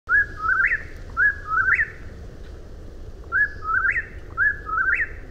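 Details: Eastern whip-poor-will singing: clear whistled three-part phrases, the last note rising sharply, given in a run of two and then a second pair. A steady low background hum sits underneath.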